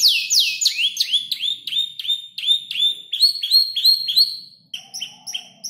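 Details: Five-month-old canary still learning to arrange its song from tutor birds, including ciblek, klik-klik and prenjak lumut imitations; rapid repeated downward-sweeping high whistles, then a change to shorter clipped notes near the end.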